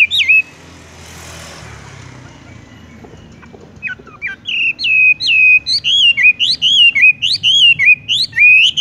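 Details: Song of a Horsfield's bush lark, described as 'tung roll gantung, langsung ngerol': one bright whistled note, a pause with faint background rumble, then a fast series of clear, looping whistled notes, each rising then dropping, repeated steadily.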